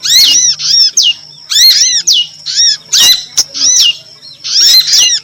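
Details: Yellow-bellied prinia (prenjak lumut), female call used as a lure for other birds: loud, chattering bursts of arched, harmonic chirps, several notes per burst, repeated about every half second, with a faint steady low hum beneath.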